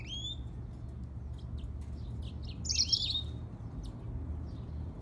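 A grey singing finch and canary hybrid sings high, sweet whistles broken by quick slurred twitters and a brighter burst midway, over a steady low hum.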